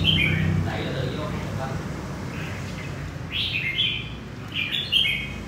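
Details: Newly caught red-whiskered bulbul from central Vietnam gives short, bright warbled phrases at the start and again near the end, separated by a quiet gap over a low background rumble.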